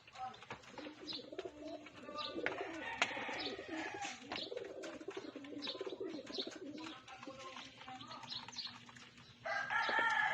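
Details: A flock of pigeons being fed: low, soft cooing murmurs overlap throughout, mixed with dense clicking and fluttering from wings and pecking, with a louder, brighter burst of flapping and calls near the end.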